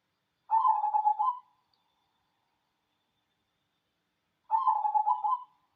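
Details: ['Zebra dove of a local wild cemani type, singing manggung: a pair of rapid, rhythmic coo phrases about four seconds apart, each made of roughly eight pulsed notes, with quiet in between.']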